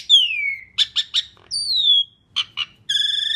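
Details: Asian pied starling song, used as a lure for other birds: falling whistled slurs alternating with short harsh chacks, ending in a nasal buzzy tone.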